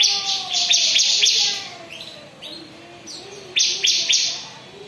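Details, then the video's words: Ciblek, the bar-winged prinia, in ngebren singing: a rapid series of harsh, buzzy high notes for over a second, a lull with faint lower whistles, then another quick buzzy burst. "Ciblek beraksi suara ngebren"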